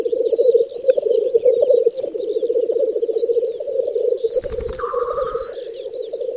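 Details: Black grouse lekking on a spring field in western Russia's Volga federal district, 9-10 May 2019: a steady, rapid bubbling low murmur runs throughout, with a brief hissing burst near the end and thin high chirps above.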